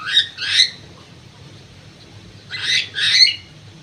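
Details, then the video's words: Aviary-kept crewet bird uttering two pairs of rough, scratchy calls, one pair at the start and another after a two-second pause, against a faint low hum. "BURUNG CREWET"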